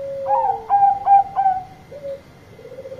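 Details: Bangkok-type zebra dove gives a loud song to call its companions. A soft opening coo leads into a quick series of four clipped, bubbling notes, then a few lower, drawn-out coos.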